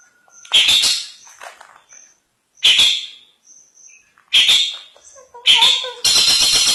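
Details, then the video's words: Cendet (long-tailed shrike) 'isian mantan' song: isolated harsh squawky bursts between faint high whistles, ending in a continuous dense scratchy rattle. "suara burung cendet isian mantan"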